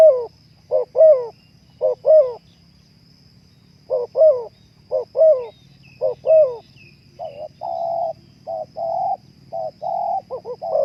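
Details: Spotted dove (terkukur) cooing, a recording used to stimulate breeding drive: paired two-part hooting coos, a short note then a longer bending one, repeated about once a second, followed by steadier higher tonal notes near the end; low hum underneath.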